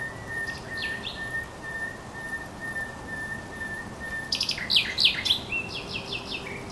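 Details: Thrush nightingale singing at the Żerań Canal on 24 April 2022. A steady background hum runs throughout, then a loud burst of sharp, clicking and whistled song phrases arrives near the end.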